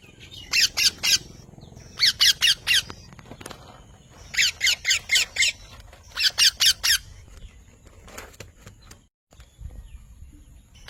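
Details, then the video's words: Parrot repeating harsh, grating squawks in tight clusters of four to five, the groups coming roughly every two seconds, then a quieter stretch with faint background noise. "Mithu Tote Ki Awaaz"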